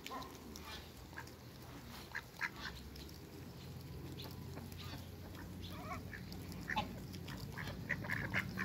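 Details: Muscovy duck pair in a backyard with waterbirds: brief hoarse calls scattered irregularly, some doubled, against a constant low mechanical hum.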